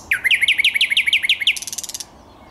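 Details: Thrush nightingale song from 10 May 2021: about eight loud rising whistled notes in quick even series, followed by a fast mechanical rattle that fades out.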